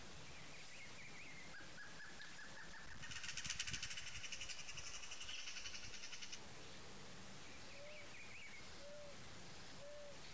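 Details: Paired Amazon kingfishers give a fast mechanical rattle of clicking notes for about three seconds, with thin rising whistles from other birds and evenly spaced soft low hoots in the background.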